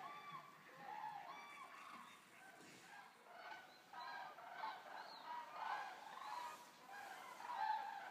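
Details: Resting Eurasian common cranes, some 200 at Racconigi in Italy, give varied trumpeting and rolling calls, single voices standing out at first before the chorus thickens into overlapping bugling.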